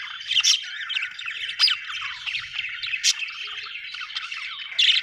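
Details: Budgerigars chirping in a dense, continuous chatter of warbled, scratchy notes, with sharper squeaks standing out now and then, a busy flock-like stream of sound.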